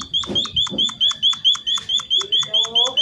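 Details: Munia (emprit/pipit) singing thin, high, clipped notes in a fast, even series of about four per second, used as a lure to prompt other munias to call back; a faint low murmur and a brief low hum underneath.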